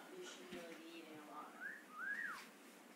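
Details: Blue-fronted amazon parrot having fun, whistling and laughing: soft low chuckling tones at first, then two clear whistles that rise and fall, the second longer and louder than the first, in a quiet room.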